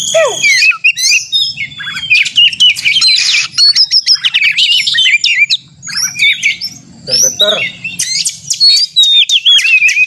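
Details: Kacer, the Oriental magpie-robin, singing a fighting song to provoke rival birds; a long, varied run of piercing whistles, scratchy chatter and quick downslurs, broken by short pauses over a faint low hum.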